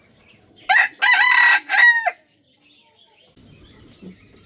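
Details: A rooster crows in the morning, a loud, choppy cock-a-doodle-doo in three bursts ending in a falling wail, then quieter rustling and background noise.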